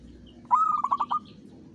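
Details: Local zebra dove (perkutut) lure song in the Mataram rhythm style used for trapping: a single phrase opening with a rising coo, then about five rapid pulsed coos lasting under a second, over a low steady hum.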